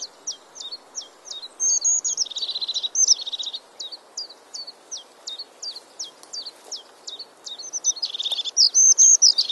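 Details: European crested tit calling loudly and close: rapid thin ticking notes, each dropping sharply, about three a second, broken by lower buzzy purring trills and occasional longer whistled strokes.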